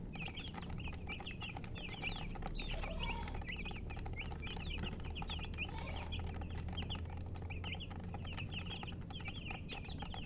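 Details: Domestic chicks, babies, keep up a steady chorus of shrill descending peeps, several every second, overlapping from many birds, while a low droning hum runs underneath.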